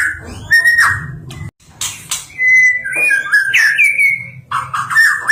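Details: Champion white-rumped shama with a melodious song: a short whistle, a pause, then a long run of clear gliding whistled notes with warbles, ending in lower rich notes.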